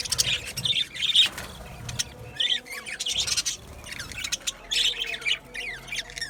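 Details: Colony of budgerigars in an aviary chirping busily: dense bursts of high warbles, squawks and short tweets overlapping almost continuously, with brief pauses between flurries.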